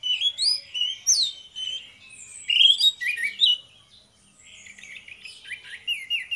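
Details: Duo of orange-headed thrushes in lively morning song: sweeping whistled slurs and sharp chirps, a short pause, then softer scratchy twittering ending in clear falling notes.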